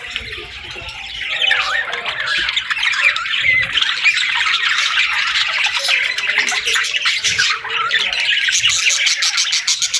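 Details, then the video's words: A morning chorus of parakeets, thick continuous warbling and chattering squeaks that grow louder after the opening seconds and carry on without a break. "Parakeets Chirping Sounds"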